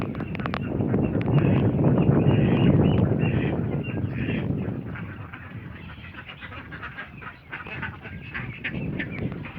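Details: Ducks in Assam, India, give a rough chorus of quacks. A loud low rumbling drowns much of the first half, and the nasal quacking becomes clearer and more separate toward the end.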